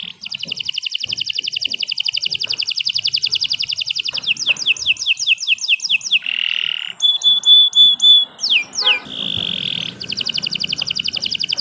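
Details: Extended canary song: a long, fast, buzzy trill, then swept whistles, grating sustained tones and sharp high notes, closing with another rolling trill.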